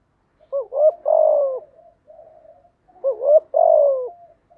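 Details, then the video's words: Spotted dove song for coaching new captive doves to sing: two phrases, each a quick upward-curving double note followed by a long falling coo, soft trailing murmurs between. "tiếng chim gáy dùng tập chim bổi mới hiệu quả/ tiếng gáy kích bổi gáy ngay"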